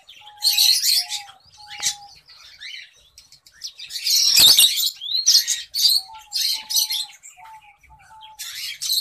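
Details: A Black-breasted Orange-breasted zebra finch chick gives harsh, hissing bursts of call, repeated in quick uneven runs.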